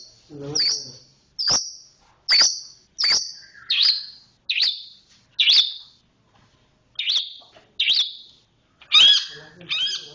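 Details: Long-tailed shrike (cendet) song in the 'roll speed rapat' style: a series of loud, sharp, downslurred high notes repeated every second or less, some with a rough buzzy edge.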